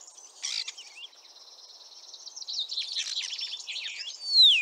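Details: Song of a common starling ringed in Lithuania and returning to Liepāja, Latvia, spring 2023: a sustained scratchy, wheezing chatter of mixed clicks and squeaks builds steadily, ending in a loud, clear downward-sliding whistle.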